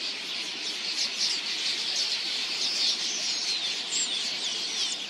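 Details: A vast flock of red-billed queleas, migratory birds in swarms of millions, arriving to drink at a watering hole: a dense, unbroken wash of high chattering and chirping, countless voices merging into one steady roar.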